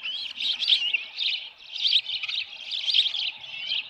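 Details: Osprey at its nest at Dunrovin Ranch on 10 June 2018, about 6:41 PM, with a headless fish. A nest camera records a steady run of high, shrill chirping whistles that rise and fall in bursts about once a second.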